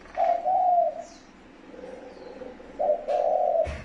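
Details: Spotted dove cooing as a decoy call to lure and stir up wild doves: two loud, low, steady hooted coos, the first about 0.7 seconds long and the second longer, separated by a softer, fainter coo, with little background noise.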